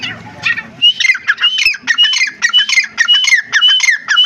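A grey francolin gives a loud, shrill, harsh call, rapid repeated phrases with rising whistled notes, nearly two per second, after a brief low rumble at the start.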